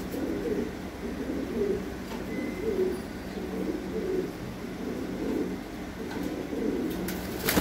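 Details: Low murmuring coos from domestic fancy pigeon breeding pairs on a farm, a continuous series of soft rolling phrases about once a second, with background hum and a few clicks near the end.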